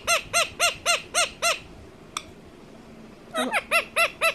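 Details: Household ringneck parakeet repeating clear arched notes about three per second, falling silent for nearly two seconds after a sharp click, then resuming the same evenly spaced series.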